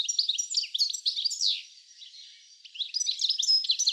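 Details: Garden goldfinch at Uddel, Netherlands, 10 April 2013: bursts of sparkling high chirps and twitters, a short quieter lull, then more rapid tinkling phrases.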